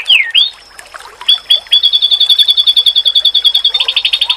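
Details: Oriental white-eye song used as a masteran to provoke other white-eyes into replying: it opens with a swooping slurred note and a few separate chips, then becomes a steady, very fast high trill.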